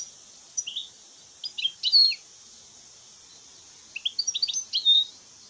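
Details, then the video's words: Free-living European goldfinch singing in the wild: two short bursts of sweet, high twittering notes with slurred and buzzy elements, separated by a quiet pause. "la vie du chardonneret dans la nature 🐦 حياة الحسون في البرية"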